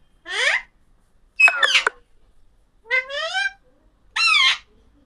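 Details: Alexandrine parakeet making four harsh squawks about 1.3 seconds apart. Some notes rise steeply, one is a broken, crackling double note, and another swells upward in pitch.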